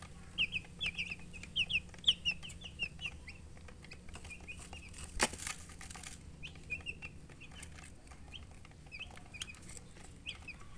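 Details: Young chicks chirping with bursts of high, thin peeps clustered at the start and end, quieter between, over a background hum with clicks and a brief loud thump near the middle.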